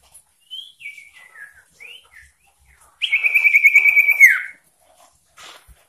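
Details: Persistent, varied common iora song used to stir up rivals: short slurred whistles lead into one sustained, rapidly pulsed whistle that slides down at its close, followed by quiet.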